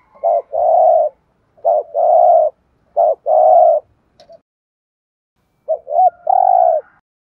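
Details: Spotted dove kept as a decoy bird, cooing in the driving 'thúc gù' style to provoke wild rivals: four low, hollow phrases, each a short note followed by a longer rolling coo, repeating about every one and a half seconds, with no background noise.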